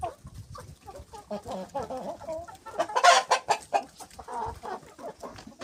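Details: Hens and roosters pecking, with soft rapid clucks in uneven bursts and a louder scratchy flurry near the middle, followed by more spaced clucking.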